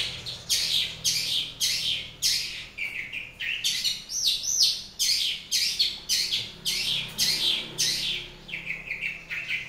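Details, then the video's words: A long-tailed shrike sings in the morning with a rapid series of harsh, broad chattering notes, about two per second, mixed with brief higher warbles. "kicauan cendet dipagi hari"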